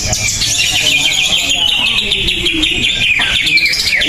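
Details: Competing greater green leafbird, previously a first-place winner, pours out a continuous high twittering warble with quick rising and falling slurs, while people talk steadily in the background of the contest.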